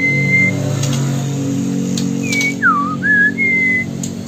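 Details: Original Sumatran white-rumped shama, recorded in Bengkulu, sings a steady flat whistle and then a quick string of slurred whistles that dip downward and rise again. A low hum sits underneath.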